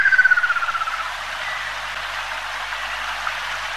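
A Ruddy kingfisher gives a quick, descending rattling trill lasting about a second, then fades into a steady hiss like rain or running water.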